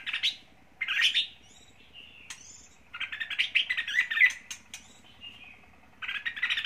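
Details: Lure red-whiskered bulbul for trapping and fighting, Lang Son, Vietnam, with a so-called leader's voice: scattered chattering phrases separated by quiet gaps, a longer rapid burst midway, thin high whistled notes between.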